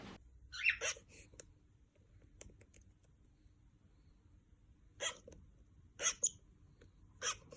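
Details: Cockatiel; barking call; territorial behaviour, mostly by males; can also be hormonal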